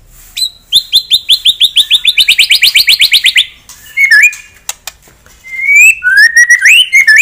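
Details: White-rumped shama singing rapid 'shots' meant to stir a rival's aggression: a fast run of about twenty sharp repeated notes, then short bright whistles, some rising, slurred and buzzy toward the end.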